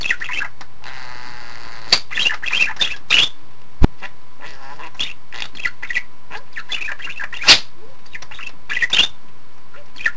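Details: A pet budgerigar, said to talk in context, chatters in quick scratchy bursts, mixing high chirps and clicks with murmured speech-like warbles over a low steady hum.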